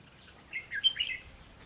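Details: Red-whiskered bulbul, a trapping session on 12 July 2016, with the description mentioning lure birds and calling the flock; a short burst of warbled, slurred notes around two to four kilohertz lasting under a second, over quiet background.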